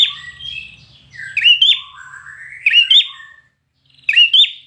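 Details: Competition-trained red-whiskered bulbul singing hard: warbled, sliding whistles leading into bright, emphatic phrases, repeated roughly every one and a half seconds, with a faint low rumble at the start.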